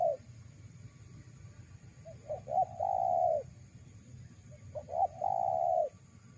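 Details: Lure recording of a spotted dove used to attract wild doves: quick paired introductory hoots lead into a drawn-out, level coo, heard twice with quiet gaps and faint low rumble.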